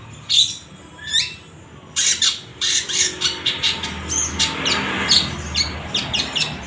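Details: Long-tailed shrike (cendet) song used to stir reluctant shrikes to sing: a few sharp whistled calls, then a rapid run of harsh, rasping, squawky notes repeated several times per second, with faint low hum behind.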